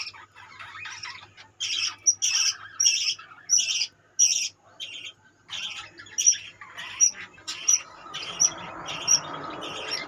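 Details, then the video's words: Budgies in a colony giving repeated squawky chirps with sharp high whistles, bursts about every half second, ending with a rustling broadband noise beneath the calls. "budgeis birds colony"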